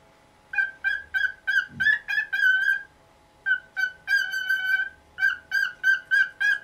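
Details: Pet cockatiel, about nineteen years old, calling in the morning because it wants its cage cover taken off. Bursts of rapid, ringing squawks, several per second, come in two runs split by a short pause, with a faint thump between them.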